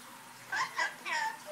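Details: A male pet rainbow lorikeet imitates human speech, repeating phrases like "hello" and "I love you" in three quick, voice-like syllables with a rising, drawn-out end, in a quiet indoor room.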